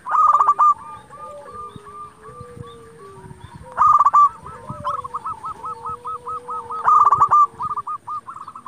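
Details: Zebra dove of local stock, calling to make rival doves respond: three loud bursts of quick harsh strokes, each followed by long chains of rapid repeated coo notes, other doves cooing softly underneath.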